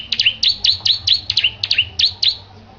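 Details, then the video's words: Caged bar-winged prinia being readied for a singing contest delivers quick, high, metallic double chirps, each dropping then rising, nine in under three seconds at an even rhythm, with faint low hum beneath. "Kicau Burung Petarukan Ciblek Gacor Persiapan Perlombaan"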